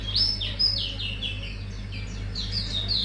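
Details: Mangrove whistler singing as a lure to prompt a bird to reveal its repertoire: a rapid series of high whistled notes, each sliding sharply downward, repeated more than twice a second over a low steady hum.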